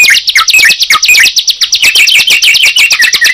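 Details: Sunda pied chat and yellow-vented bulbul brought together trade a rapid, high stream of sharp chirps and buzzy notes, about ten a second, with brighter whistled phrases woven through.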